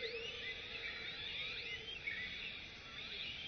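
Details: Crimson-backed sunbirds (Leptocoma minima), both parents rearing and feeding a chick, give a run of thin, high, overlapping chirps that swoop up and down, several a second, over a faint steady background hum.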